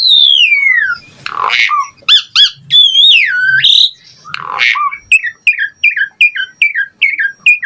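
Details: Asian pied starling giving a long descending whistle, harsh rasping bursts and a looping wavering whistle, then a brisk regular series of short rising chips.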